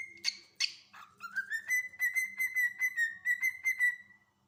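A cockatiel gives two sharp chirps, then a long rising whistle that levels into a steady, pulsing note.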